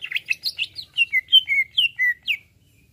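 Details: Greater green leafbird reacting at once to a played sound, pouring out a quick cascade of bright whistled notes that swoop up and down, roughly a dozen phrases in under three seconds.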